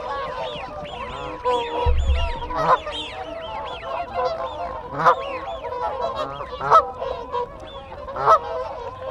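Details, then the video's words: Close whooper swan group giving contact calls. Loud trumpeting honks stand out about every one to two seconds over a murmur of flock calls. Arched wigeon whistles repeat through the background, with Canada geese. A brief low thump occurs early. "Whooper Swan. CU Contact Calls Of A Group."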